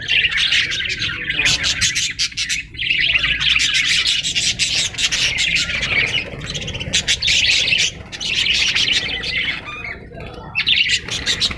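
Parrots keep up loud, harsh chattering and squawking in dense, rapid bursts with only brief lulls, apparently from several birds calling at once.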